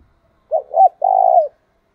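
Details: Clean coo phrase from a captive decoy spotted dove in the 'thúc bổi' style: two short, swelling hoots, then a half-second purring coo that tapers off, with no other sounds.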